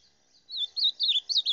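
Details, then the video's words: Rufous-bellied thrush singing: a short burst of four warbled, looping whistled phrases, high and clear, beginning after a half-second pause, with no other sounds. "Reina Mora Cantando"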